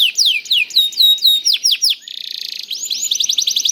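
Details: Juvenile canary singing a lure song to make other canaries sing: sweeping downslurred whistles, a short buzzy trill, then quick bright chips in a rapid string.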